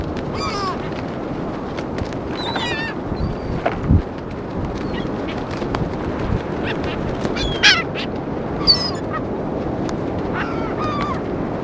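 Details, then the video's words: Gulls being fed on St. Augustine Beach, Florida, 2016: scattered short yelping and mewing cries from several birds every second or two, set against continuous surf and wind. "Feeding Seagulls - St. Augustine Beach Florida 2016"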